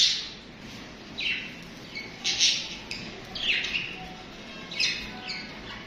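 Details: Several budgerigars chirping and chattering: bright, high bursts of chirps come every second or so, some squeaky and rising, over a soft continuous background hiss.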